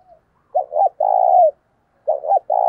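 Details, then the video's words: Decoy spotted dove delivering the 'gáy thúc sung' coo meant to excite wild doves. Loud, clean low hooting: a double coo and a long even note, then the next phrase begins. "Chim Cu Mồi Gáy Thúc Sung Hay Nhất Hiện Nay, Kích Bổi Nhanh Nổi Và Căng Lửa"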